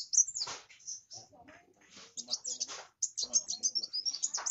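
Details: Kowul sunbird song: short, high, sharp chirps and twitters in uneven bursts, with quieter rustling, low sounds between phrases.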